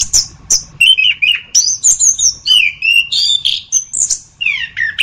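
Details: Song of an orange-headed thrush: loud, clear whistled phrases alternating between high and mid pitch, some sliding downward, others broken into quick warbles, each phrase separated by brief gaps.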